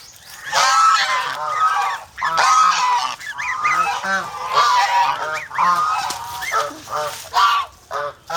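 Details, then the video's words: Several guarding domestic geese (gangsa) in the Philippines honk in a rapid series of nasal, rising-falling calls, bursts coming roughly every second with brief gaps between. "ang Piso na Gangsa with over protective minions"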